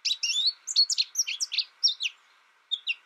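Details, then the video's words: Young American goldfinch raised in isolation through its first year, learning only from a tutor recording with no contact with other birds, sings rapid twittering phrases of high, sweeping notes in quick bursts with a short pause, over a steady low hum. "My American Goldfinch sings a tutor calling birds, goldfinch excitation to sing,goldfinch chirping"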